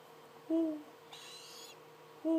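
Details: Two captive Tropical Screech Owl owlets, aged 26 and 21 days, give short low hoot-like notes, each slightly falling with a faint overtone, two calls about two seconds apart, with a brief soft hiss between them.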